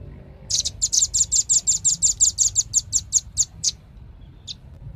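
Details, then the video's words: Velvet-fronted nuthatch, rambatan paruh merah in Indonesian, delivering a rapid series of about fifteen high, sharp, evenly spaced chipping notes that slow slightly and stop, followed by one isolated chip; low hum underneath. "SUARA BURUNG RAMBATAN PARUH MERAH"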